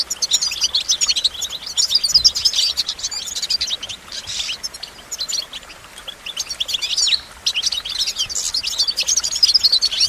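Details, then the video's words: Goldfinch song: fast, high twittering phrases of chirps, trills and quick slurred notes, delivered in bursts separated by brief pauses, with no other sounds standing out. "Goldfinch Motivation Performance"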